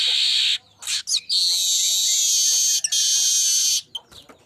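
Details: Streaked weaver song used as a lure recording: a few sharp high chirps, then a long, loud, sizzling buzz lasting about two and a half seconds, broken by brief gaps and ending in a couple of clicks.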